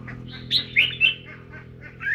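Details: During voice training a singing, dancing red-whiskered bulbul delivers three quick chirpy whistled notes, then a rising note at the end over a steady low hum.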